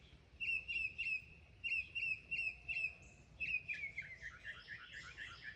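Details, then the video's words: Mockingbird singing and mimicking other sounds: a clear chirped phrase repeated three times, then again three times after a short pause, followed by faster, varied twittering notes. Faint low background rumble. "Mimicking bird | Mocking bird | Beautiful sound"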